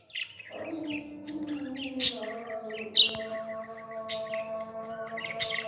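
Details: Baby parrot being fed, giving a steady, droning, nasal tone with layered harmonics that holds throughout, broken by sharp high clicks or squeaks at about two, three and five and a half seconds.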